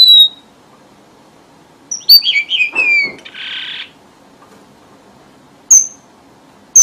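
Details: Lure song of a red avadavat for trapping, southern Vietnam: a high thin whistle, then falling slurred notes that step lower, a buzzy rasp, and two sharp clicks spaced apart.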